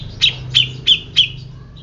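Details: Grey-cheeked bulbul calling with four sharp, bright notes, each sliding down, spaced about a third of a second apart, over a low steady hum.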